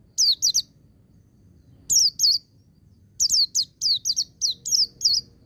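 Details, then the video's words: White-eye song in ngecir style joined with ngalas, played to rouse white-eyes in training: loud, piercing descending chirps in paired bursts, then a rapid string of seven or eight similar high notes. "Suara Burung Pleci Ngecir Sambung Ngalas"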